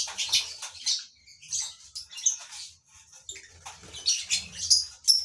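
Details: [4, 'Lovebirds kept in a colony breeding setup give bursts of sharp, high-pitched chattering chirps in irregular clusters, separated by short quiet gaps, with a faint low rumble underneath.']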